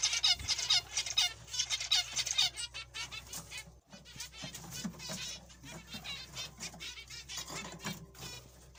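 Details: Zebra finches calling in quick, irregular bursts of short nasal, harmonic notes, about two a second, with a brief gap near the middle and a low background hum.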